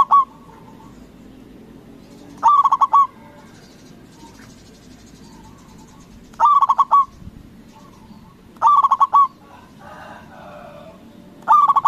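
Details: A loud local zebra dove calls to goad rival doves into answering. Short bursts of rapid, rolling coos with a drawn-out final note come every two to four seconds, with softer, distant cooing between them.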